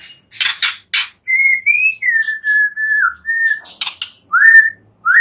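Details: White-rumped shama giving long, pure whistles after a few noisy clicks, the notes held steady then sliding slightly up or down, ending with two short rising whistles.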